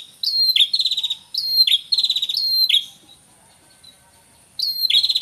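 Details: Male and female red-headed prinia calling simultaneously, natural lure recording: quick repeated phrases of a sharp falling note and fast buzzy trill, then a silent gap of about two seconds before another phrase.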